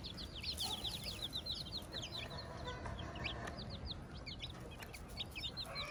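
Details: Brood of chicks beside their hen on a farm: quiet, high, rapid downslurred cheeps in loose runs, with a low hum underneath.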